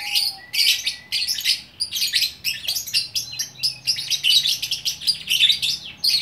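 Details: Lovebird in Bukittinggi, West Sumatra, a single fighter-type bird singing in the gacor orkestra style: dense, harsh chattering bursts of high twittering notes, nearly continuous with short gaps.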